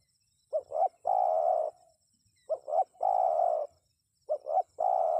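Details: Spotted dove calling to prompt wild birds to respond; three repeated coo phrases, each a quick pair of short hoots then a drawn-out mellow coo, spaced close together over a faint steady high hiss.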